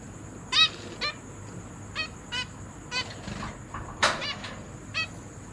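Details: Captive zebra finch family in a cage, parents feeding three juveniles and three newborn chicks, 29 September 2023: scattered short nasal stacked calls, about eight in under six seconds, over a steady high electrical whine.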